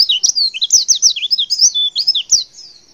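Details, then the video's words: Rapid, continuous twittering from a female white-eye, the call used to make males respond: high, sharply slurred chirps packed several per second, sweeping up and down, fading at the end. "Suara CALL PLECI BETINA Super Lenjeh BIKIN Pleci Jenis Apapun Cepat Respon & gacor"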